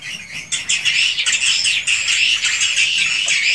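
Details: Swiftlet chorus inside a swiftlet house, a genuine unedited recording: fast overlapping high chirps and trills, several birds twittering densely together.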